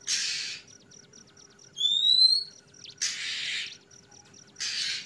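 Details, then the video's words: Kacer trotol, an Oriental magpie-robin, singing ngeplong: a steady series of ticking notes and a clear, rising whistle, broken by three loud, harsh, hissing rasps. "suara burung kacer trotol ngeplong"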